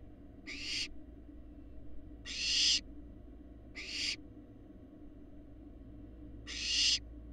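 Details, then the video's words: Big barn owl fledglings that look like their parents, at a Florida nest cam: four rough, airy screeches at uneven intervals, the later ones stronger, against a low steady hum. "These barn owl fledglings are large and look like their parents"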